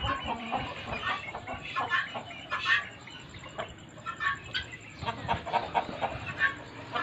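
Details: Guinea fowl breeders kept for laying eggs, many birds calling at once with choppy, grating repeated notes and clucks, over a constant high-pitched hum.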